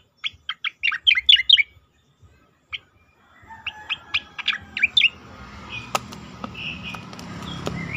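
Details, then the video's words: Asian pied starling on a training recording for competition birds: a quick burst of sharp chirps, a pause, then further chirps over rising background hiss and clicking noises. "khas cica koreng suara shahduh sangat bagus untuk masteran burung lomba"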